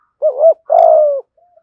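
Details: Decoy spotted dove singing in the 'giọng thổ' style: a rising, wavering opening coo, then a long, slightly buzzy coo gently falling at the end, followed by a faint soft note.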